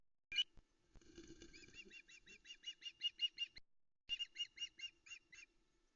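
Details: Female osprey on the Loch Arkaig nest at about 05.22 in soft misty light, 13 August 2020, waiting for a male to deliver a brown trout. Wing flaps open, then rapid high whistled chirps, about five per second, pause briefly and resume.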